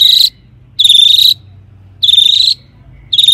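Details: Long-tailed shrike giving loud, buzzy, rasping bursts about half a second long, repeated roughly every 1.2 seconds, used to provoke other shrikes to sing.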